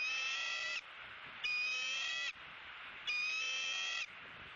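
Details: At a Southwest Florida bald eagle nest on January 28, 2017, an opossum brought to a month-old eaglet is being eaten. Three drawn-out, steady, high harmonic piping notes repeat about every one and a half seconds.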